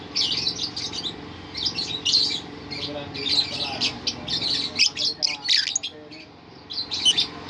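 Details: Lovebird singing in ngerol style: long continuous chattering of high squeaky notes, dense and unbroken for most of the stretch, with a brief softer pause near the end before chirps resume over a steady low hum.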